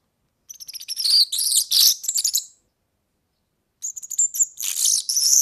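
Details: European serin song for tutoring young birds: two bursts of high, rapid, jingling and buzzy trills, the first about two seconds long, then a pause before a second bright, fizzing phrase. No other sounds.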